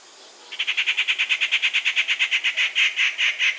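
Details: Rufous treepie (Dendrocitta vagabunda) near Gir National Park, Gujarat, India, gives a fast, even rattle of harsh metallic notes, about six per second, for three seconds, against a faint background hiss.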